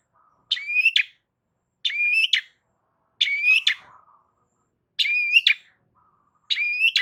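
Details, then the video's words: Long-tailed shrike calling to provoke rival shrikes: five similar phrases, each a harsh burst, a rising whistled note with a faint higher overtone, then a sharp closing note, repeated about every 1.5 seconds, with a faint low hum between. "Cendet DIAM Pasti Tak Tahan Dan MERESPON Gacor Bongkar Isian Dengan Suara Kicauan Cendet KERAS"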